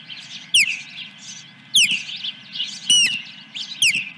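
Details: Osprey calling at its nest on the morning of July 10, 2021, with a fish brought in: loud, piercing downslurred whistles roughly every second, over softer high chittering.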